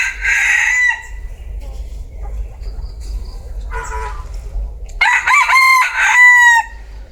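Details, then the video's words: Bantam rooster crowing: a short harmonic burst at the start, a brief note mid-clip, then a loud, strained crow of stepped syllables ending in a long drawn-out falling tail, over low background hum. "Tiếng gà tre gáy"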